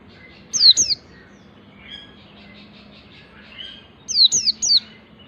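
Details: Ngalas song of a white-eye learning the nembak, said to get other white-eyes singing: a burst of three high sharp notes, soft faint warbling, then a second burst of four notes.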